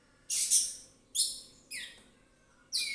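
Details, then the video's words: Orange-headed thrush, 'ngeplong' style, giving four short, loud bursts of scratchy, downward-slurred whistles spaced under a second apart. "ANIS MERAH NGEPLONG SANTAI"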